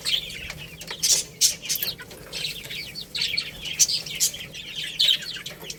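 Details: Chicks eating rice, calling in a steady cheeping chorus of high, thin notes and sharp single peeps. Pecking clicks punctuate the chorus every second or so.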